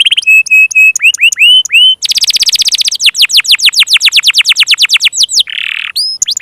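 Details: Canary song used as a lure for young and silent canaries: sustained and rising whistles, a fast buzzy trill, slower descending sweeps, a short harsh burst and a closing upslur.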